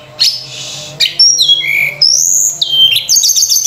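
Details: Energetic Sunda robin singing a rich phrase used to lure and train other birds: a harsh burst, then gliding whistles falling and rising, ending in rapid repeated high notes.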